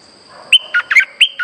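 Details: Streak-eared bulbul lure song used to draw birds in for trapping: five short, clipped chirps in a rapid run, some sharp and high, others lower and burry, with a thin constant whine behind.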